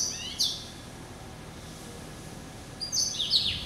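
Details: Pet hybrid finch (yellow-eyed canary crossed with Timbrado, hatched November 2012) producing a brief high chirp, a long silence, then a short bright trilled burst.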